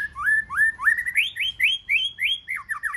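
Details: Wild-caught white-rumped shama singing competitively in forest-voice style: a clear series of rising whistled notes, about three per second, climbing higher and then dropping in a wavering end.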